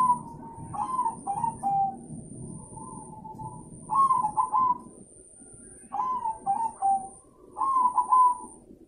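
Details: Zebra dove singing: four bursts of rapid, bubbling trilled coos near one pitch, each followed by a softer sustained purring note, with a faint steady high electronic whine above.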